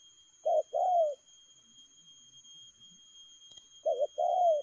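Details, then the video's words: Spotted dove in rapid "lèo gù" style, two phrases about three seconds apart, each a short note followed by a sustained, gently falling coo. "Nết chơi nhanh lẹ, gù tốc độ.Clip445/ Nước chơi lèo gù."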